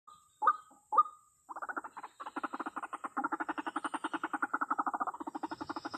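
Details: White-breasted waterhen lure call used by a trapper to draw waterhens in: two separate harsh notes, then a long, rapid run of pulsed, croaking notes at mid pitch, about two per second and speeding up, with a steady faint high hum behind.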